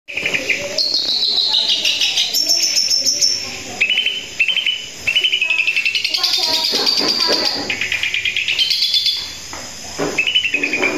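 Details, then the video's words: Long-tailed shrike (cendet) singing persistently from one spot: a dense, fast stream of varied chattering notes, buzzy trills and short whistles, changing pitch every second or so with barely a pause. "Cendet gacor satu titik"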